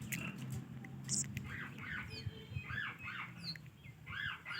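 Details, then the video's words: Pet ringneck parrot talking: short arched, voice-like syllables in bursts, several grouped phrases with gaps between, over a low steady room hum. "Ringneck Talking Parrot"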